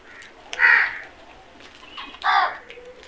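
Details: Two hoarse crow caws about one and a half seconds apart, each rough and drawn out, against a quiet background.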